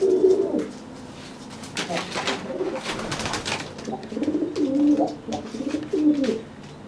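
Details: Pigeon cooing to intimidate a soaked pigeon fresh from its bath: low burbling coos at the start and again near the end, broken by a loud rustling, flapping noise in the middle.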